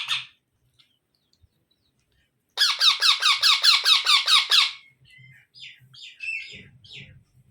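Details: Young parrot utters a steady two-second run of about a dozen harsh, pulsing squawks, then softer scratchy chirps and faint rustling noises in a small room.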